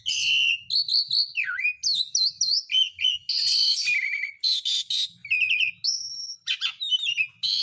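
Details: Lure song of the Asian pied starling for reviving birds reluctant to sing: a dense medley of whistled upslurs, dipping notes, buzzy rasping bursts and clear sustained whistles in quick succession.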